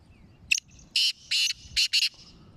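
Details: Sindhi black francolin (kala teetar, chakri wala) giving its rasping call: a brief clipped opening note, two drawn-out scratchy notes and a fast pair of harsh notes to finish, against a quiet background.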